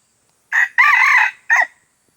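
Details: Red junglefowl from Aceh crowing: a brief harsh opening note, a longer sustained middle note, then a short clipped final note, all in little over a second, with a quiet background.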